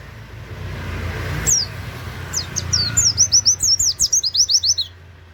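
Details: Oriental white-eye giving canary-like 'wit wit' song in 'nembak' style, used as a training master. Scattered thin high notes build into a quick run of about a dozen sharp, descending whistles, with low background rumble.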